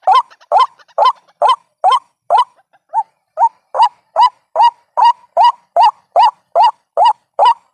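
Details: Ruak-ruak (white-breasted waterhen) lure sound: rapid rasping rising calls, a short stutter of weaker notes near the middle, then a steady resumed series at about two and a half per second.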